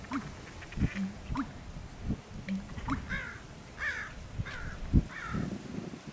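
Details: An American bittern calling in a marsh gives deep, hollow gulping booms, repeated at intervals, while harsher cawing from another bird breaks in midway.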